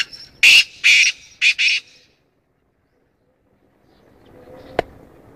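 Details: Black francolin calling: a loud, harsh grating phrase of four rasping notes in under two seconds, followed by quiet background hiss and a single sharp click.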